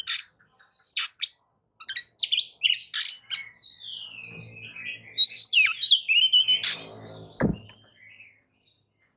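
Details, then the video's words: Shama song played to stimulate other birds, opening with harsh scratchy bursts, then a long wavering whistled phrase, with a faint low hum in the background. "kicau pancingan kacer gacor pagi sore siang malam"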